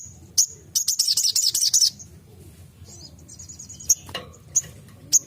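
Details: Crimson sunbird, locally sogon, in 'tembakan' song: one intense second-long burst of very high, rapid staccato notes, followed by a faint thin trill and several isolated sharp chips.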